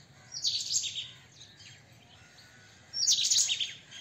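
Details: White-throated kingfisher calling in two shrill, rasping, chattering bursts about two and a half seconds apart, with quiet high scratchy notes between them and a low steady background hum.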